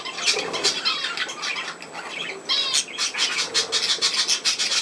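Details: Playing pet budgerigars, recorded 27 August 2024, keep up loud continuous scratchy chatter of rapid chirps and squawks, with a brief lull near the middle.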